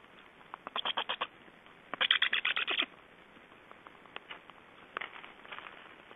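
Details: Black storks at a nest in Estonia during feeding, evening of 11 July 2012 at 19:36; two bursts of rapid, harsh pulsed notes, each about a second long, followed by scattered fainter pulses over steady background hiss.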